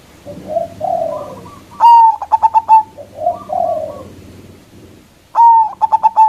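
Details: Local zebra dove with a big voice, used as a lure to call and provoke rivals: soft low wavering coos, then a loud clipped coo followed by a quick run of sharp, stuttering notes, starting again near the end.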